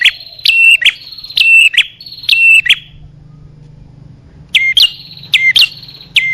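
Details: Lure recording of bar-winged prinia meant to attract male and female birds: three loud paired notes, a steep drop into a steady whistle then a rising flick, a pause with faint low hum, then a quicker run of four.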